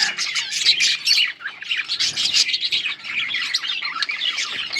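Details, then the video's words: Several yellow budgerigars recorded on August 20, 2024, in a continuous high, scratchy chorus of chirps and warbling chatter with no pauses. "Beautiful yellow budgies chirping sounds"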